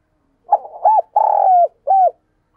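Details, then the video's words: Spotted dove, a caged decoy bird, giving one full phrase: a rough opening note, a hooked coo, a long drawn, slightly falling throaty coo, then a short closing coo, in a quiet room. "Tiếng Thúc Chim CU Gáy Sung - Kích Bổi Nhanh Nổi / Chim Cu Mồi"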